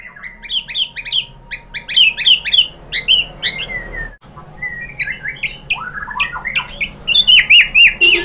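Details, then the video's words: White-rumped shama (murai batu) song used as a pancingan lure to get other birds answering and singing: rapid varied whistled phrases, a brief break, then descending slurred notes and high rising whistles. "MURAI BATU jadi Gampang NYAUT GACOR BONGKAR MATERI ¦ PANCINGAN MURAI ¦ SHAMA BIRD"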